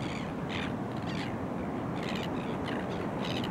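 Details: Crested terns (Thalasseus bergii cristatus) courting and pairing up at Boat Harbour Aquatic Reserve, Kurnell, NSW, Australia, early September 2020: harsh, rasping calls in short bursts over a steady roar of surf and wind.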